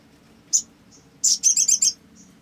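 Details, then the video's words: Olive-backed sunbird, called sogon in Indonesia, used as a lure to get other sunbirds singing: one sharp high chirp, then a fast burst of five or six thin, high, metallic notes, over a faint steady low hum. "SOGON GACOR !! PANCINGAN SOGON AGAR BUNYI"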